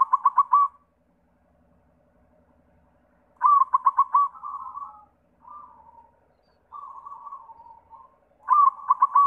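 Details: White zebra dove song used to coax other doves into singing. Loud rapid-fire coo bursts open, recur midway and close the recording, with soft, purring trills in between.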